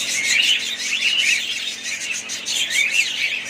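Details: Several pet budgerigars in a family group chirp constantly, high warbling twitters and short rising notes overlapping in a busy chatter.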